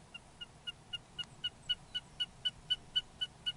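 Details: Wilson's snipe at a wetland near Rosedale, Alberta, Canada, gives a steady run of about fourteen short, clear, even-pitched notes, roughly four a second, over a faint low rumble.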